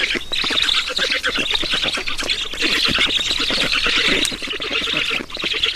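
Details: Estonian black storks at their nest during a feeding, 11 June 2019: dense grating, hissy calls in quick pulses, steady and loud, easing off briefly near the end.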